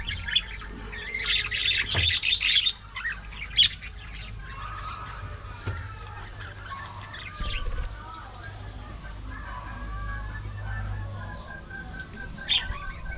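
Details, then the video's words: Budgerigars in an aviary colony: bursts of high, scratchy chattering and warbling in the first few seconds, then sparse short chirps, over a steady low rumbling hum. "budgie parakeet talking"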